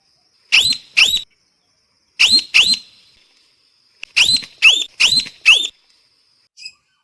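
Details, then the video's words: Parrot calling in piercing, upslurred notes given in pairs and then in a run of four, separated by silent pauses, over a faint steady whistle. "เสียงนกแก้ว, Parrot sound"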